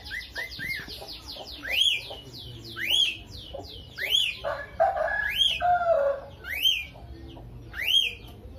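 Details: Lovebird with an unusual voice: a run of short chirps leads into loud, sharply rising whistles repeated every second or so, mixed with a lower, buzzier warbling phrase in the middle and a faint background hum.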